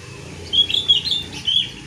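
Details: Jongkangan kept as a cage bird, calling from on top of its cage: a short burst of four or five sharp, high chirps in quick succession against a soft low background hum.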